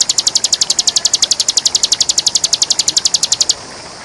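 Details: Bar-winged prinia, a champion bird, in full ngebren style used as a training recording for other birds: a fast, even string of about thirty sharp, high-pitched ticking notes over three and a half seconds, then stopping abruptly. Light background hiss.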